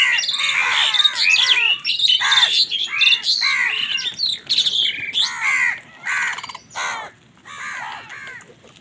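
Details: Many crows squabbling over food with wild birds in the morning: dense, overlapping harsh squawks and chattering calls, arched and noisy, tumbling rapidly over one another with few gaps, some softer chirps mixed in.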